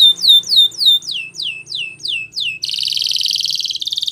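A Timbrado canary sings a run of bright, downward-sliding whistled notes about three per second, then breaks into a fast, metallic, rattling trill.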